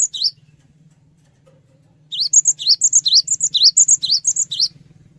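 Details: Cinereous tit singing, used as a lure to get other birds to answer: one brief note, a pause, then a rapid run of sharp, high, rising-and-falling whistled notes paired with higher chips, repeated about a dozen times over a low background hum.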